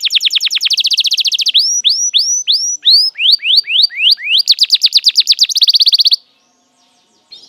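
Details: Tutor song from a canary, played so young birds can learn it: a rapid buzzy trill shifts into slower upswept whistled notes, then returns to a fast rattling trill before stopping abruptly into near-silence.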